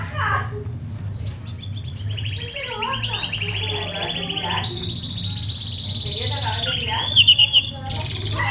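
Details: Pair of white Fischer's lovebirds kept in a cage, hatched November 2015, recorded 27 December 2015 late morning; rapid high chattering builds into a long rasping trill, then a burst of loud sharp repeated chirps near the end, over low hum.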